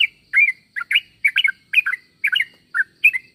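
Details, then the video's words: Sooty-headed bulbul call meant to make other bulbuls respond: clipped, bubbly chirps in quick doublets and triplets, about two per second, loud and clear against a quiet background. "Suara pangilan burung trucuk.semua trucuk pasti nyaut dengar suara trucuk ini"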